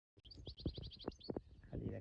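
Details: A caged European goldfinch, given a bucket-and-rope feeder it pulls up to reach food, gives a quick run of about eight high, tinkling twitter notes, partly masked by low thumps and handling noise.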